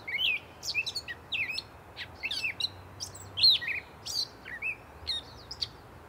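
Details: Continuous improvised song of a gray catbird: quick clusters of high scratchy chips alternate with mewing slurred notes and short whistles, phrases changing constantly, over a soft steady background hiss.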